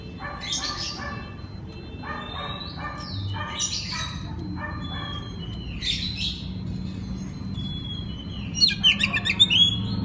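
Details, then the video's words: Oriental magpie-robin in full open night song, meant to provoke answering song from other magpie-robins: coarse rasping notes in short rows with thin sliding whistles, ending in a flurry of sharp high chirps, over steady low noise. "TERAPI MALAM KACER NGEPLONG AMPUH UNTUK PANCINGAN KACER BAHAN AGAR NYAUT BUNYI GACOR"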